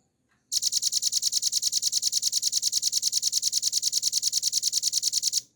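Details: Velvet-fronted nuthatch in a tutor recording. After a brief silence a loud, extremely fast trill of identical high, sharp notes bursts in and holds steady for about five seconds before cutting off cleanly.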